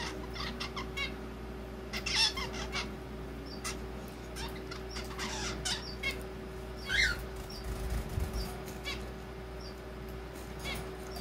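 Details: Young zebra finch chick beginning to practise its song, still clumsy and almost like chatter: scattered short, harsh, nasal notes and a few brief rising sweeps over a steady low electrical hum, with occasional clicks and rustles.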